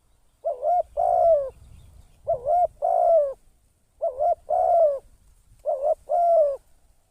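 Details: Spotted dove kept as a decoy bird for trapping, its call in the persuasive style known locally as 'kharom'. Four mellow, hooting coo phrases, each a short note then a longer falling coo, repeated roughly every one and a half seconds; quiet background.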